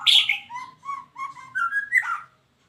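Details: Captive-bred white-rumped shama, eight months old, Medan line, sings a rapid sequence of clear whistled notes and warbled slurs, opening with a bright high burst and fading after two seconds.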